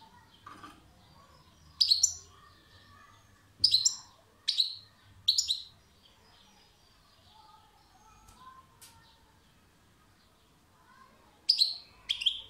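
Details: European goldfinch song: sharp, bright chirps, singly and in quick pairs, separated by long quiet gaps with faint soft twitters between.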